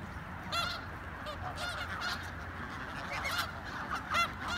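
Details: Snow geese calling in Richmond, British Columbia: a busy chorus of short, nasal honks from many birds, overlapping and uneven, above a constant low background hum.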